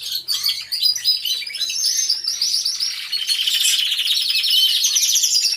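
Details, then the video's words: Aviary full of canaries, all singing at once: a steady, thick high-pitched rolling trill with fast repeated notes that grows louder toward the end. "CANTO DE CANARIOS"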